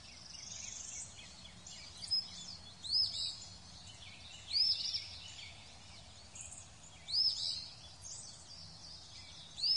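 A robin sings short, high, thin phrases, each a quick bright flourish, with pauses of about two seconds between them over a steady background hiss.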